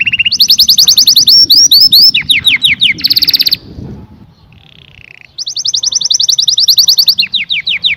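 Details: Song of a canary: rapid high trills and downward-slurred whistles with a short buzzy burst, a near-silent pause, then a soft low note and a fresh, fast, ringing trill.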